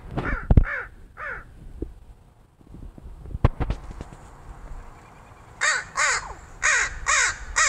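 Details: Friendly neighborhood crow visiting the fire escape where it is fed; a few harsh caws at the start, knocks and handling sounds, a quiet stretch, then a run of five loud rasping caws in quick succession.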